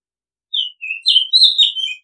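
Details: Oriental magpie-robin giving one short song phrase of sweet whistles. Falling and rising notes run together into a brighter, richer ending. No other sounds.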